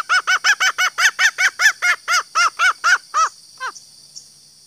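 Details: Green junglefowl hen giving a fast series of about fourteen rough, even clucks, near three per second, fading with a few weaker notes; a call used to lure males, with steady high hiss behind.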